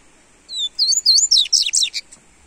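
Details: Clear double-collared seedeater song for warming up a kept bird: a high whistle, then a fluent series of slurred notes breaking into rapid, sharp chirps, about one and a half seconds long.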